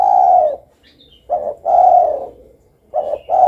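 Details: Spotted dove calling eagerly: a short double coo followed by a long, mellow, slightly falling coo around mid pitch, the phrase repeating with brief silent gaps between.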